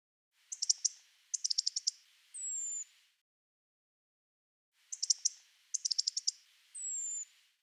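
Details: European Robin at night giving a quick series of sharp clicking tics, then a thin, piercing drawn-out whistle also heard by day, repeated twice. These calls are not nocturnal migration flight calls.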